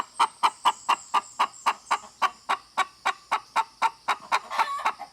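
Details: Hen clucking in a run of about twenty short, regular clucks that turn rougher and blurred near the end.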